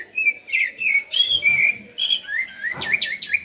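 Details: Common blackbird song of continuous fluty whistles and warbles, rising and falling, with a brief scratchy note near the end.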